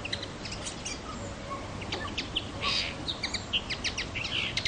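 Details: Common linnet song, thinner and more distant: scattered high chirps and brief twittering bursts, with one louder buzzy note midway, over noticeable background hiss.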